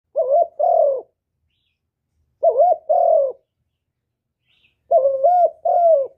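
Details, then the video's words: Spotted dove singing in the hạp bổi voice style, part of a full song of calling, urging and cooing, recorded without background noise. Three widely spaced pairs of mellow low coos, each pair a short note followed by a longer, slightly falling one. "Cu Gáy Giọng Hạp Bổi ĐỦ BÀI (GỌI +THÚC + GÙ)"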